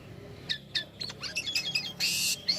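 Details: Black-winged starling singing, kept as a lure for songbirds: short scratchy notes, a few squeaky chirps and quick warbled phrases, then a loud rasping hiss and a final high whistle.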